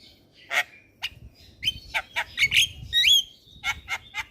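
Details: Black-winged myna song meant as a lure for young birds: scattered harsh squawks and chatter with a brief bright whistled flourish midway.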